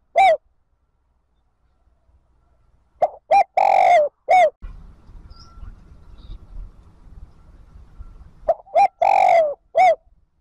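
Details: Spotted dove calling to draw wild birds back to the flock, for use as a decoy: groups of deep, hollow coos, some short and some drawn out, separated by pauses. A low rumbling noise fills the quiet middle stretch.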